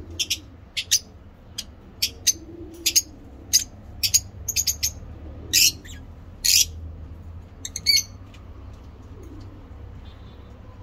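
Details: Lovebirds kept for breeding, several mutations, uttering sharp shrill chirps roughly every half second, with a few longer screechy calls near the middle and a faint indoor hum behind.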